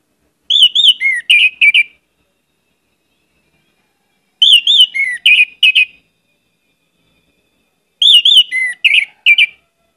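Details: An orange-headed thrush, recorded as a lure for other birds of its kind, gives rich, varied whistled phrases of slurred and rapid notes, each over a second long and repeated every three to four seconds, against a quiet background.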